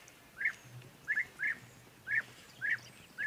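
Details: European bee-eaters at a waterhole, still calling during a live broadcast on 31 January 2024: six short, burry, rolling calls in irregular pairs and singles, clear over a faint low hum.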